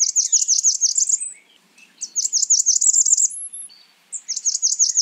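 A Blackburnian warbler gives three quick bursts of very high, thin, lisping notes, about ten to a burst, with a brief even higher whistle between them.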